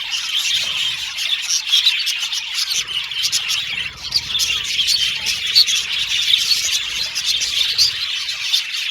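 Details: Australian budgerigars in a cage or aviary colony, singing and chirping while playing with the cage: a dense, continuous high warbling chatter with many quick overlapping chirps and occasional soft clicks and knocks.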